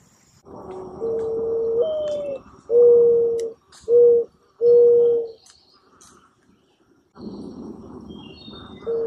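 Mourning dove giving low, hollow coos: a long note that lifts in the middle, then three shorter soft hoots. Faint small-bird chirps sound far behind.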